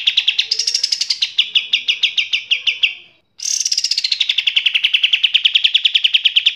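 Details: Fighting calls of Eurasian tree sparrow used to train cage birds: rapid, harsh chirps repeated several times a second. A brief higher opening gives way to steady notes, then a short silence before another higher-starting, even run resumes.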